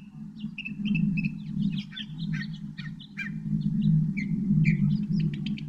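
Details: Northern mockingbird song, a dense jumble of varied chirps, slurred whistles and sharp clicks changing every second, over a strong continuous low rumble of background noise.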